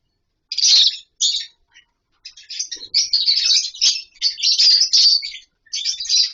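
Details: Colony of captive lovebirds with wooden nest boxes and mud bowls: bursts of harsh, chattering high chirps, several overlapping, separated by brief silences, in an otherwise quiet setting.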